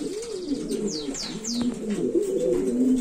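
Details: Domestic pigeon of the Buchón valenciano antiguo breed, bred for flight and seduction display, producing continuous deep, wavering coos that rise and fall, accompanied by a few brief descending high chirps early on and soft knocking sounds.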